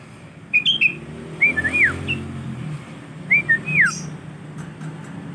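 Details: Tame young male sooty-headed bulbul, kept in a collection, practising song: short clear whistled phrases, some rising and some falling, given in two bursts with a pause between, over a low steady background hum.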